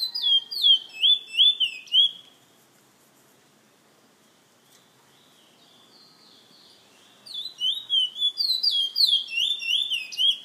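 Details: Song of a kept bullfinch from San Fernando: rapid bursts of sweet, slurred whistled notes, rising and falling, delivered in a two-second flurry, then a pause of about five seconds before a second, longer warbling run.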